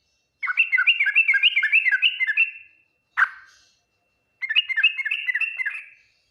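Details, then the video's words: A yellow-vented bulbul sings its ngriwik, nguplik, tuklik-tuklik style of song, reportedly answered fastest by other bulbuls: two long chattering phrases of rapid, rolling, gurgled notes split by one harsh note. "Suara Burung trucukan Full Ngriwik Nguplik Tuklik-Tuklik, paling cepat di respon trucukan lain"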